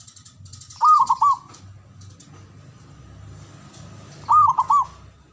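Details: Two quick rolling coo phrases from a male zebra dove, three and a half seconds apart, over a steady low background hum and faint high twittering.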